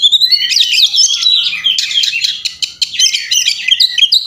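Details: Oriental magpie-robin fighting song, recorded as a master for training: a rapid torrent of high whistles, chirps and buzzy mimic-like notes, tightly packed and loud throughout.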